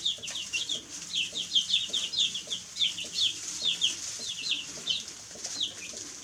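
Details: Chorus of baby chicks giving bright, high peeps that slide downward, clustered in quick bursts of several notes with brief gaps, against a faint background hiss.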